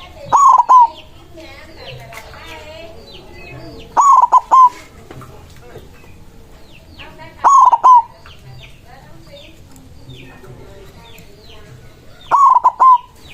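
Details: Rival-calling white zebra dove delivering its cooing phrase four times, roughly every four seconds, each a fast stutter of notes closing in a sustained coo, with other birds twittering in the gaps.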